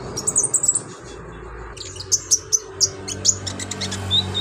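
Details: Lively olive-backed sunbird showing imitated phrases, used as master song for other birds; a brief high twitter, a pause, then sharp separate high chirps about every 0.2 seconds over a low hum.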